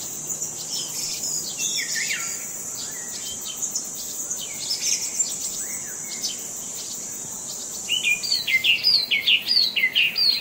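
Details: Birds singing in a park: a dense mix of high chirps, twitters and thin whistles under a steady high hiss, ending with a run of sharp, rapidly repeated sweeping notes over the last two seconds.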